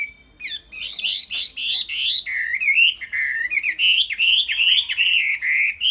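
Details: Tame Chinese hwamei singing loud, rich song: a burst of strong upslurred whistles repeated quickly, then a flowing chain of wavy, fluty notes without pause.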